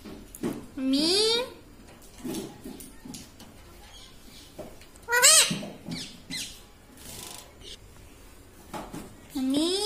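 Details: Quiet room with three separate bursts of parrot talk, spaced several seconds apart: rising squeaky syllables with rich overtones, against faint background murmur.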